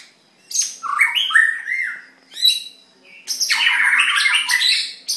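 A white-rumped shama sings rich, varied phrases of fluty whistles mixed with harsh, scratchy notes, in three bursts separated by brief pauses.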